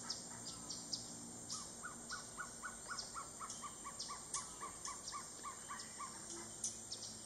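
A Gartered Trogon gives a long, steady series of short, mellow 'cow' notes, about four a second, over a high insect hiss and scattered chirps from other birds.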